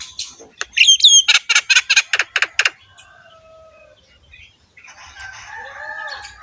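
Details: Javan myna in active, harsh-voiced, head-bobbing song, used to train other mynas: a quick series of about eight loud rasping notes, then faint drawn-out whistles and a soft warbling passage.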